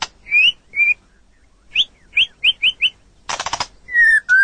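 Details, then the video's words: A kept white-rumped shama gives a few upslurred whistles, then a quick series of four similar rising notes, a burst of harsh rattling chatter, and two long gently falling whistles. "Suara Burung Murai Batu Beraneka suara"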